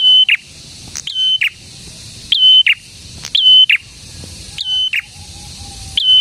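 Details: Prinia, locally called prenjak tamu or prenjak merah, in vigorous song. Repeated bursts of high, level whistles end in abrupt downward strokes, roughly one burst per second, with a faint low hum between them.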